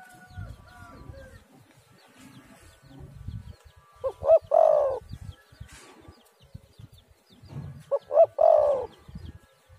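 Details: Spotted dove, known locally as tekukur or derkuku, used as a lure to make other doves call: two separate three-part coos around four and eight seconds, short notes then a longer drawn coo, over faint background noise.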